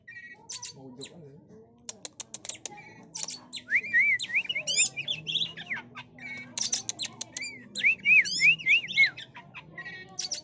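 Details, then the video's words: A female Oriental magpie-robin chatters with sharp ticking clicks and harsh rasps mixed with quick wavy whistled phrases, several per second, over a faint low murmur. The recording is used as a lure for trapping. "Kacer betina gacor ketekan"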